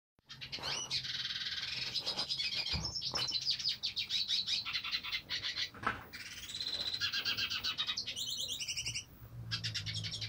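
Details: Hooded siskin, called cabecita negra, singing: a fast run of high chirps and twitters, a rapid trill, then a stretch of rising buzzy notes and a brief pause.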